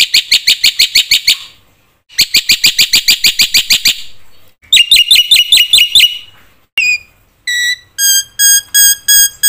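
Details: Lure song of a black-winged myna, singing constantly with many fillers to provoke other mynas: loud bursts of fast, harsh repeated notes separated by short pauses, then sharp whistled chirps and clear, drawn-out piping notes.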